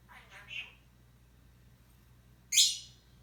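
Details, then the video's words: Pet parrot indoors, shown repeating words back to its owner: soft speech-like syllables in the first second, a pause, then a loud harsh rising squawk with a falling tail, over a steady low electrical hum. "PARROT TEACHES OWNER TO SPEAK!!!"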